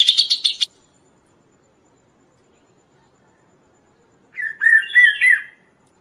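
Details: Kaso-kaso bird, whose song serves as a training master and lure for other birds: a brief buzzy rattle of high notes, a pause, then a rich, wavering whistled phrase rising and falling.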